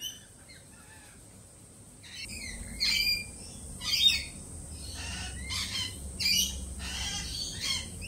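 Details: Lorikeets at a feeding spot, jittery after a peregrine falcon attack earlier that week; a few soft chirps, then loud, harsh screeching squawks in rough bursts about once a second over a low background rumble.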